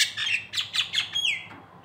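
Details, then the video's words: Nias hill myna, a local Indonesian bird used as a song tutor: a run of sharp slurred notes dropping in pitch, then a clear falling whistle and a quiet pause. "masteran jalak Nias lokalan aja"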